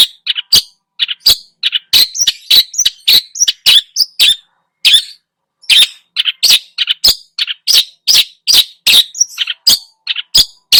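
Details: Vigorous song of a Long-tailed shrike for luring other birds, filled with mimicked phrases: a long, varied chatter of sharp ticks, squawky rasps and bright chirps delivered rapidly and irregularly.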